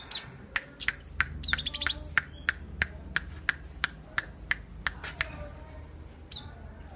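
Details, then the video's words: Tame, actively singing kept flowerpecker uttering piercing high tsip notes and a short trilled run, accompanied by a regular series of sharp clicks and a low hum. "Cabe cabean Gacor Jinak"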